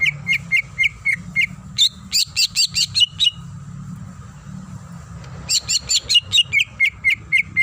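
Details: Female greater green leafbird in breeding condition calling for a male: evenly spaced short whistled chips, a burst of dense chattering phrases, a pause, then more chattering and repeated chips, with a soft low hum.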